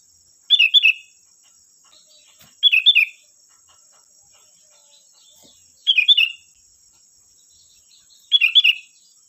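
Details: Sooty-headed bulbul singing as a lure for untrained bulbuls: four short, crisp bubbly phrases spaced two to three seconds apart, each a quick cluster of bright chirped notes, over a faint steady high-pitched hum.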